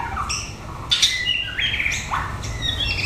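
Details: Male white-rumped shama of chocolate colour, meeting a young female during an attempted pairing; quick whistled notes, downward slurs and buzzy harsh bursts in a rapid varied sequence, with low background hum.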